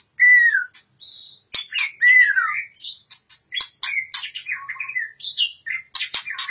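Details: White-rumped shama singing: loud, varied phrases of clear falling whistles mixed with sharp clicks and harsh buzzy notes, bursts coming in quick, irregular succession with brief pauses between.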